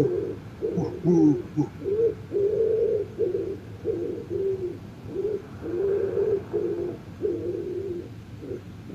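A dove gives a soft, low cooing series, hollow notes repeated roughly once a second for several seconds; a faint high chirp shows up briefly near the start.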